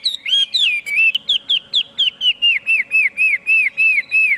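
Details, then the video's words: Chinese hwamei repeating one clear, down-slurred whistle in a steady series, roughly three to four notes a second, each note rich with overtones. "tiếng chim hoạ mi hót cực hay"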